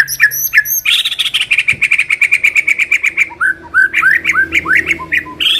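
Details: Training-lure song of a white-rumped shama: a few high whistles, then a rapid even series of clipped chirps, followed by repeated rising whistled slurs delivered about three per second.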